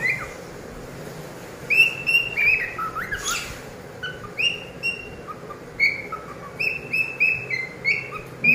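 A cockatiel sings a string of clear, slurred whistles, some rising and some falling, in short bursts.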